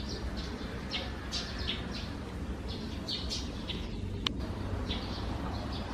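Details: Morning chatter of Eurasian tree sparrows from a nest under the eaves, June; quick high chirps repeat in loose clusters, with one sharp click partway through, over a constant low hum.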